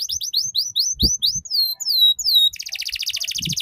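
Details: Ngeriwik-style canary song used to teach young canaries; a run of quick rising chips, then clear down-slurred whistles and a rapid, rattling trill, with faint low thumps.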